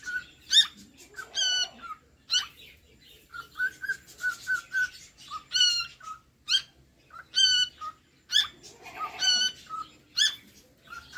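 A cockatiel sings a string of bright whistled notes broken by rich, slightly raspy chirps, coming about once a second in an uneven rhythm.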